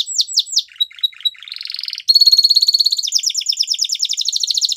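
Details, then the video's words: Training song from a Belgian canary: quick downslurred notes give way to a short dry rattle, then a bright steady whistled tone and a fast rolling trill, all high and loud. "The Most Magical Canary Training Song | Belgian Canary"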